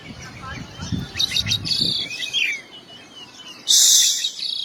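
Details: Oriental magpie-robin song phrase: a few sharp chips and a slurred rising-falling whistle, ending in a loud harsh hissing rasp; low murmuring noise underneath at the start.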